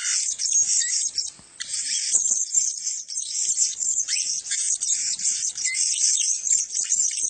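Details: Several male blue-crowned hanging parrots giving a dense, continuous stream of very high, thin, shrill chattering notes, with a brief lull about a second and a half in and a few short rising squeaks.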